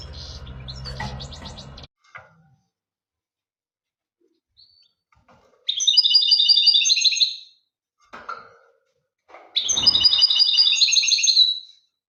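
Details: European goldfinch delivering two long, buzzy, rattling trills of fast repeated high notes, each near two seconds, separated by short chirps and a brief noisy start.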